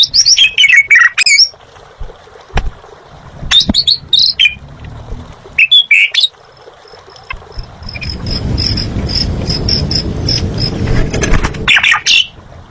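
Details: Asian pied starling, or jalak suren, in energetic gacor song: bursts of loud whistles and harsh chatter separated by pauses, with a thin repeated high ticking and low background rumble in the second half.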